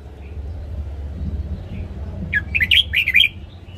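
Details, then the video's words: Caged red-whiskered bulbul morning song used in training: after a quiet stretch with a low rumble, a lively burst of six or seven quick, rolling whistled notes. "Luyện giọng chào mào hót sáng DÙNG ÉP BỔI / ép má trắng"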